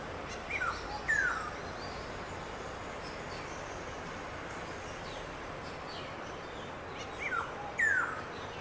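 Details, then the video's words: Black-hooded Oriole in Siliguri, West Bengal, India, on 12 June, giving two paired calls, each a short note followed by a clear descending whistle, about seven seconds apart over steady background hiss. "Black-hooded Oriole call"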